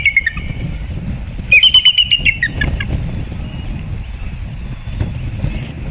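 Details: An adult female eagle calls from her nest on a Surrey reserve nest camera, afternoon of 4 April 2021, beside a newly hatched chick and a pipping egg. A brief high note opens, then a quick run of sharp, pulsed chitters, over steady low rumble.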